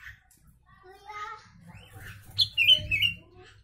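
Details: Sooty-headed bulbul singing with mimicked Javan myna material, suited for teaching other songbirds: soft warbled notes at first, then a burst of three or four loud, sharp whistles over a low electrical hum.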